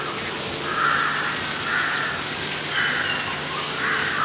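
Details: Black-collared starling giving harsh, grating calls around the mid range, repeated about once a second in four even bursts over steady background hiss.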